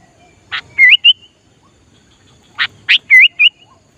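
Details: Sooty-headed bulbul, a lively bird used to lure wild bulbuls, repeats a short phrase twice: a harsh burst, then a looping wavering whistle and a higher clear note, about two seconds apart.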